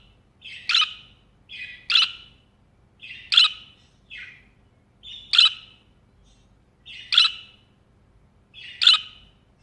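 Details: Budgerigar perched on a hand repeats loud, sharp, screechy chirps about every one and a half to two seconds. Most are paired with a quieter lead-in note, seven calls in all, in near silence.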